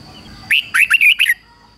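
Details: Red-whiskered bulbul used as a decoy, singing to draw in rival birds: one short, loud phrase of about five quick, bubbly whistled notes, with a faint steady high whine behind it.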